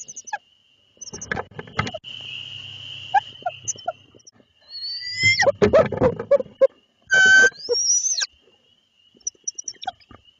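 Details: At night in Lebanon, Connecticut, a male barred owl brings prey to his mate, with three owlets to feed, and the pair exchange calls. Scratchy rustling and rasping bursts lead to a loud, brief harmonic squeal and a thin rising whine, with a constant high whine throughout.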